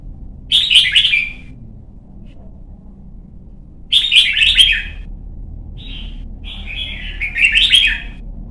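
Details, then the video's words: Red-whiskered bulbul, young white-cheeked bird coached for competition singing, delivers three lively chattering warbled phrases, the last longer with a short note before it, spaced about three seconds apart over low hum. "CHÀO MÀO | Luyện giọng má trắng chim non - Thúc chim hót hay hót đấu"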